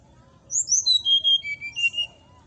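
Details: Brown-chested jungle flycatcher song used to provoke rival birds into quick response: a cascade of clear whistled notes stepping steadily downward from very high pitch, ending in a short warbled phrase; faint low background hum.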